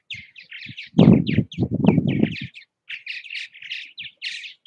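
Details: Purple martins at their bird houses in Southwest Missouri produce quick, burbling chirps one after another, partly covered by a burst of low rumbling noise early on.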